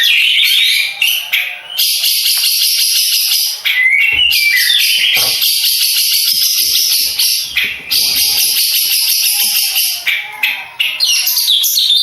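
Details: Long, loud song from a Madura contest long-tailed shrike: continuous fast grating chatter in repeated bursts, separated by brief dips, with occasional whistled notes mixed in.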